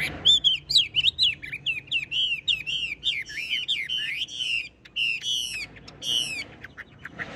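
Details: Caged, well-tamed Chinese hwamei in full song, delivering a fast stream of bright whistled slurs that bounce up and down, followed by a burst of sharp descending notes.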